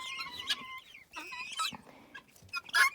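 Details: Female guineafowl, kept in a dog-free enclosure, chatters contentedly to her owner in short, bright, stuttering notes with sharper bursts.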